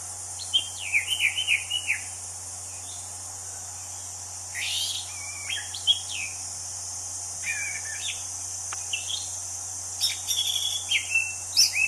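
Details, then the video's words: Wild Orange-banded Thrush (anis cendana) singing: a varied run of short, slurred whistled phrases, some rising and some falling, in bursts separated by brief pauses, over a steady high hiss and a low hum. "Kicau Anis Cendana Alam Liar"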